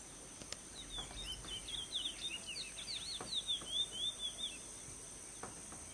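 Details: Wild chestnut-bellied seed finch singing freely in the Kaw marshes: a faint, continuous run of quick high warbled and slurred notes lasting several seconds, over steady insect hiss and occasional soft clicks.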